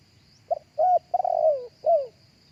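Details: Live spotted dove coo phrase meant for luring doves via loudspeaker: a short soft note, then rounded coos and a drawn-out descending final coo, closing with a falling note, over a faint constant high-pitched hum.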